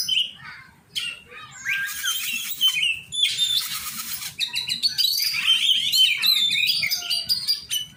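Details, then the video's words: Oriental magpie-robin in a song-training session with other keepers: rapid mixed phrases of sharp chips, harsh rasping bursts, and rising and falling whistles, delivered nearly without pause. "cara melatih burung kacer"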